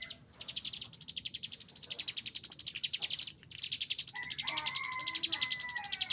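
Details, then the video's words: Caged Chinese hwamei singing agitatedly: fast runs of rapidly repeated high notes in long trilled phrases, sliding up and down, with a brief pause and lower whistled notes joining near the end. "cigun isian katem ngamuk"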